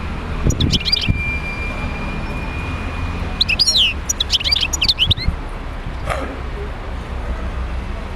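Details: European goldfinch song used to stimulate other goldfinches to sing: short bursts of high, twittering chirps around one second and again between three and five seconds, with a thin sustained whistle and steady low rumbling background noise.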